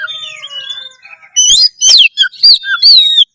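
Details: Common iora singing loudly, kept as a songbird to stir breeding drive and fight mode: soft overlapping whistles give way to several sharp, loud slurred notes and rising-falling whistles.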